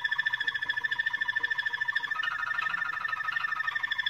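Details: Moroccan Malinois canary singing a rapid, even pulsed trill of ringing tones, roughly three beats per second, shifting midway to a slightly lower, fuller rolling phrase.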